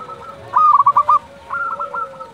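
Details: A local zebra dove calls at dusk: a quick run of five throaty, pulsing coos, followed by a softer, higher phrase from another dove.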